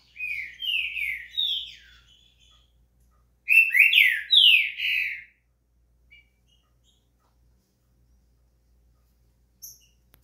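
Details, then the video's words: Two whistled song phrases from a green-winged saltator, used to warm up a bird to sing, about three seconds apart, each with three or four falling, slurred notes; long silence afterward with a couple of faint chips. "quer esquentar o seu trinca-ferro"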